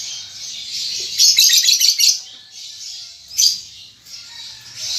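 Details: Young lovebird learning to sing in the ngetik and ngekek styles, giving a dense burst of shrill, high chattering notes for about a second, then scattered thin chirps and a sharp squeak near the end.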